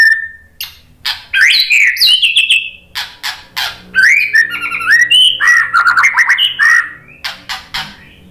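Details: Lure song of a white-rumped shama, played to trigger other shamas to respond: fast varied phrases of sliding whistles, harsh squawks and rapid chattering notes, mid to high pitched, with short gaps between bursts.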